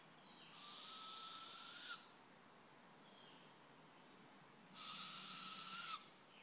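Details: Two drawn-out, rasping owl screeches, each lasting over a second, separated by about three seconds of near silence; the hissing sound holds level with a faint whistled overtone, and the second screech is louder.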